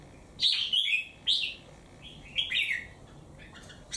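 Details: Wild-caught bird in a cage for three months, one white claw, in competitive song against a strong bird; loud bright whistled phrases with quick downward slurs, broken by short gaps.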